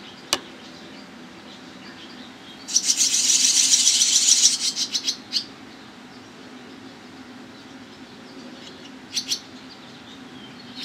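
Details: Barn swallow young being fed by parents on private property in Toronto, Ontario, Canada, July 11th, 2010; a burst of harsh, high chattering begging lasting about two seconds, then a few brief chirps, with a quiet background.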